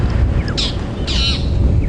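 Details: Magpie shrikes alarm calling at a raptor flying overhead during a morning safari drive at Djuma Game Reserve, 10 November 2015: two harsh rasping squawks about half a second apart over a low rumble of engine and wind.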